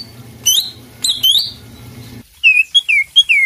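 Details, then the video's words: Greater green leafbird (cak ijo) singing strongly to stimulate a silent bird: a few scattered sharp chirps over a hum, then a clean run of five bright down-slurred whistles. "masteran cak ijo gacor buat pancingan macet bunyi"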